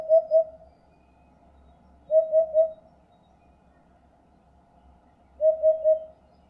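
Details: Eurasian hoopoe, a migratory bird, giving soft, low hollow hoots in quick triplets, 'oop-oop-oop', repeated three times about every two to three seconds over a quiet background with faint low rumble.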